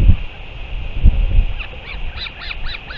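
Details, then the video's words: Northern royal albatross chick with its parent, recorded 8 July 2023; a run of short harmonic, nasal call notes arrives in the second half, repeated rapidly over steady roaring wind and low thumps. "Northern royal albatross"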